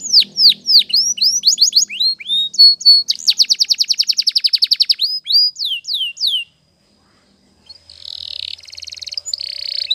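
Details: Canary singing for training: dropping whistled sweeps speed into a rapid rattling trill, then more sweeps, a pause, and a softer buzzy roll.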